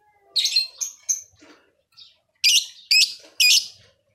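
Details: Lovebird from Leuwimunding, in very active song: a harsh buzzy squawk and two sliding squeaks, a few soft notes, then three loud grating screeches in a row about half a second apart.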